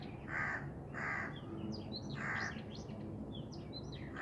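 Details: Harsh, scratchy Black francolin call: three coarse notes spaced under a second apart, then a pause filled with sharp, high twittering from nearby birds and low ambient hum.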